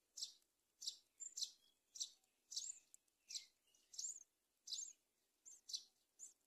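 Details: A mother myna bringing locusts to her chicks at a nest in a palm tree: harsh, hissing, high chirps, about ten rasping bursts roughly one every half second, with no other clear sounds.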